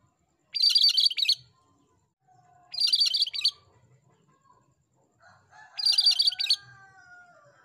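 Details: Cucak kerinci singing vigorously: three short, dense bursts of harsh, chattering high notes, each under a second and about two and a half seconds apart, with faint drawn-out tonal calls between them.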